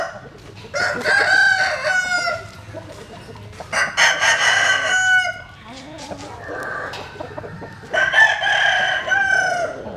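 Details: Several roosters crow in turn at early dawn while chickens sunbathe: three long, rasping crows about three seconds apart, one fading into a lower, quieter crow in between.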